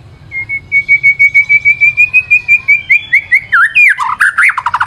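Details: Shama, white-rumped, singing as a lure: a long series of steady repeated whistled notes gradually rising, breaking into a fast, jumbled buzzy flourish at the end, with a low background hum.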